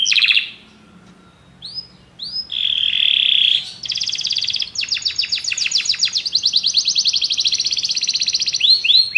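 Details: Canaries singing together after music is played: a brief trill, a pause, rising whistled upslurs, a smooth roll, then sustained rapid buzzy trills ending with quick swept notes.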